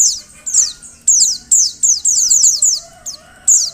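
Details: High-pitched descending chips from a female Oriental white-eye calling to make males sing, delivered in close runs of several notes, then a short lull and one last chirp.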